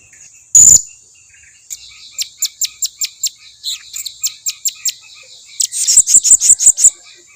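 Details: Blue-crowned hanging parrot lure call, used to make other hanging parrots that rarely call answer at once: a run of sharp, very high-pitched shrill notes repeated about every quarter second, ending in a louder burst, over a steady high whine.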